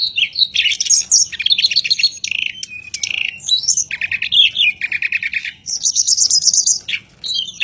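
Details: Energetic song of a mountain robin, known as tledekan gunung: dense, rapid runs of high chirps, trills and buzzy notes, pouring out almost without pause.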